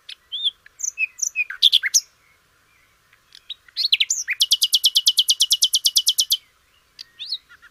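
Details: Canary training song of a flycatcher: varied whistled and slurred notes, a pause, then a long even trill of about twenty sharp repeated notes, ending with a few high chirps.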